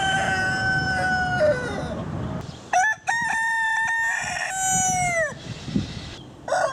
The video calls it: Roosters Crowing